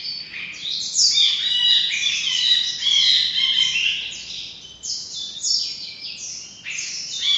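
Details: Ashy bulbul (Brinji Kelabu) giving a rapid, busy run of high chirps and squeaky notes, about two per second, with brief pauses and overlapping phrases.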